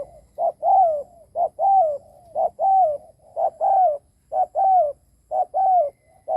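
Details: Ground decoy spotted dove giving powerful luring coos, a rhythmic run of two-part phrases, short note then longer sliding coo, about one per second, loud and regular with little background.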